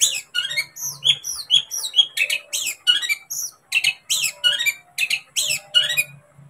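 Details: Long-tailed shrike song, played to make a pet bird agitated and sing: rapid bursts of harsh, scratchy notes mixed with sharp whistled slurs, repeated in quick phrases about every half second with no pause.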